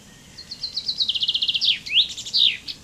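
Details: Common chaffinch (Fringilla coelebs) giving one complete song: a quick run of high chipping notes stepping down in pitch, closing with two or three loud slurred flourish notes. Background is quiet.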